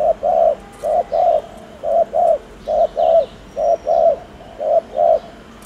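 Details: Low, rounded spotted dove coos, used to stimulate fast cooing, given in short-long pairs almost continuously, about ten notes in under six seconds.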